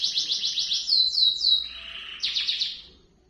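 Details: Long rolling canary song used as a model for young birds learning to sing. Rapid repeated high notes slur into a few descending swoops, then a buzzy lower trill and another burst of quick chirps.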